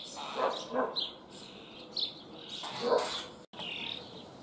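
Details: Caged young common starlings in Liepāja, Latvia, recorded in May 2024. They give loud, harsh, scratchy calls mixed with a few high squeaky notes. The notes are spaced irregularly over a few seconds, with urban background noise.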